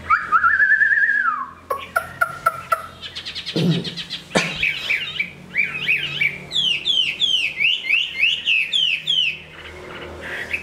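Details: Large Chinese hwamei, a fine singer and fighter moulting into new plumage. A long slurred whistle is followed by sharp clicks and knocks, then a fast run of bright, up-and-down whistled notes.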